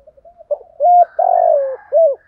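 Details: Spotted dove giving a provoking call to get other doves cooing: soft low lead-in notes, a short flat coo, a long drawn descending coo, and a final brief arched note.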